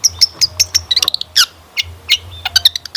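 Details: Long-tailed shrike song as a singing lure, mixing thin high whistles with sharp chirps and clicks in an uneven, varied sequence.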